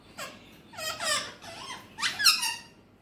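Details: Talking pet Alexandrine parakeet producing three raspy, speech-like phrases with sliding tones, each under a second long, separated by brief gaps indoors.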